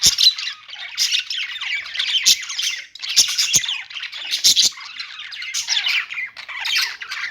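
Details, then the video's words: Budgies chirping and singing together in a dense, continuous high warble, with harsh squawks and bright chirps overlapping in irregular bursts. "budgies singing | budgie sounds | parakeet chirping sounds"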